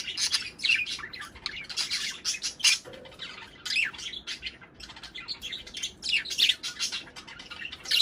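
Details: Budgerigar breeding-stimulation chatter: constant rapid warbling, squeaks and buzzy notes, several birds overlapping in a busy, high, scratchy stream.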